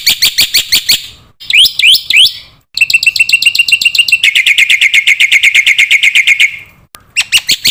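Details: Black-winged myna masteran with fill-ins for training young cage mynas: loud separate chirps, a few sweeping upslurred whistles, then accelerating chatter that merges into a steady rapid trill, ending with short sharp notes.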